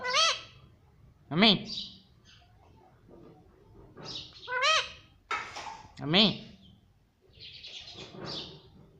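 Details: Talking parrot imitating the word mummy: strong arched, speech-like syllables repeated every few seconds, with hissy screeches and quiet gaps between them.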